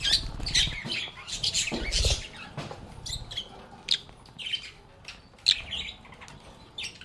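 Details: Lovebirds (Agapornis) playing and calling: rapid high squeaks and scratchy chirps tumble together in the first seconds, then thin out into scattered sharp tweets and clicks, with low soft thumps in the background.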